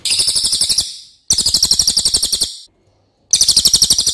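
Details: Racket-tailed treepie, a loud, long-voiced relative of crows, recorded for training other songbirds; three rapid bursts of harsh, buzzy, metallic pulses, about ten a second, each stretched over a second and separated by short silences.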